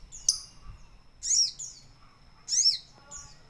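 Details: Sooty-headed bulbul bathing in ice water: short, high, thin chirps sweeping downward, given in pairs of bursts about a second apart, over a steady faint high tone.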